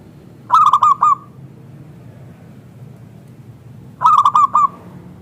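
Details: Local zebra dove with a thick, crystal voice, used to lure other zebra doves into answering: two loud phrases of four clipped, ringing coos about three and a half seconds apart, with quiet between.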